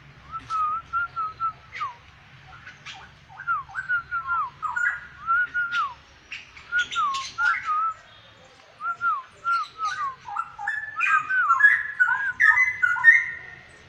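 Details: Black-winged myna bearing a yellow crest in vigorous song: repeated level whistles ending in a drop, building into a busier stretch of chattering, buzzy and higher twittering notes toward the end, in a quiet setting.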